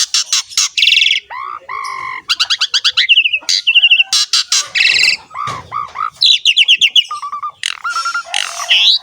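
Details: Javan pied starling, called jalak suren, singing vigorously in ngerek style: loud rasping bursts, fast rattling note trains, nasal downslurred calls and squeaky whistles, all tumbling together with few gaps.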